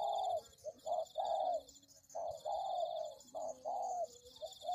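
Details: Spotted dove heard on a bird-luring recording: soft, mellow coos in short phrases, each note rounded and slightly rising then falling, about six phrases in under five seconds, over a steady high buzzing hum in the background.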